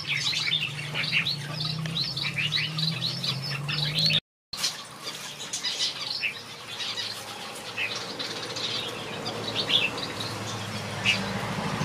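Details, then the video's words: Flock of finches in a backyard aviary keeping up busy high-pitched chatter and short tweets. Sound drops out briefly near the four-second mark, and a faint low hum runs beneath. "Watch these finches sing a beautiful melody in my backyard"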